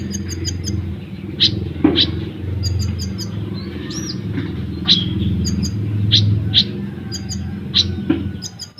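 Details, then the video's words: Caged olive-backed sunbird, kept for training other caged birds, sings in rapid besetan and tembakan style: thin, very high chirps and short flicked notes scattered over a steady low rumble of background noise. "Burung Kolibri Ninja / Konin Gacor Full Besetan & Tembakan Rapat untuk Masteran ataupun Pancingan"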